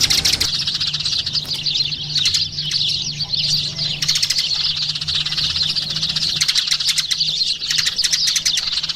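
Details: Eurasian tree sparrows twitter in high, rapid chirps that come in thicker bursts and thinner stretches, above a steady low mechanical hum.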